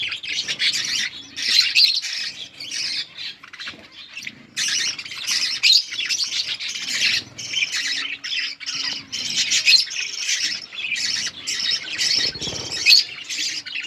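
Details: Budgerigars chattering while parents feed their chicks during breeding: dense, continuous harsh squawks and rapid scratchy chirps, nearly unbroken for fourteen seconds, with a faint low hum beneath.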